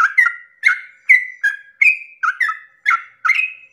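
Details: Early-morning sooty-headed bulbul song used to rouse rival birds into singing: about eight short gurgling phrases in under four seconds, each ending in a sustained whistle, alternating pitch.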